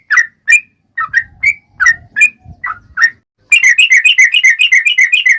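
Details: Yellow-vented bulbul singing as a lure to set other bulbuls singing: several spaced, gurgling whistled notes, then a sudden fast run of about fifteen crisp repeated chirps in under two seconds.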